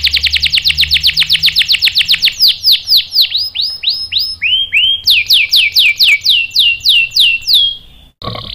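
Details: Canary singing as a provocation lure for other canaries; a rapid bright trill slowing into spaced downslurred whistles, a low sliding phrase, then another series of ringing sweeps before a short harsh tone.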